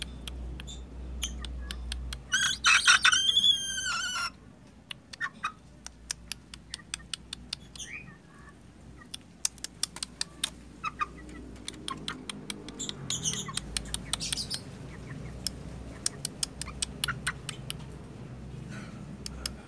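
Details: Young Ayam Ketawa chicken, a 2.5-month-old bird coaxed with a cricket, gives one loud harsh crow of about two seconds, rough and broken into rapid pulses, followed by a long run of sharp dry clicks and taps with low background hum.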